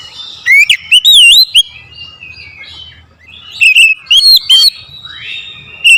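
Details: Provoked oriental magpie-robin in aggressive rival-challenging song, loud whistled phrases rising and falling quickly, two dense bursts separated by softer warbling.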